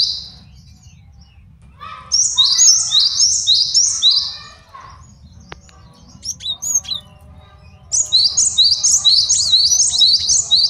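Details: Male cinereous tit singing as a training and luring master: bouts of fast, regularly repeated high two-note phrases, broken by a spell of scattered softer notes before a final rapid bout.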